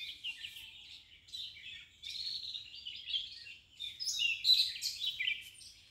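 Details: Red-vented bulbul with its babies at feeding time: a continuous stream of thin, high, twittering chirps in uneven bursts that grow louder and more excited toward the end.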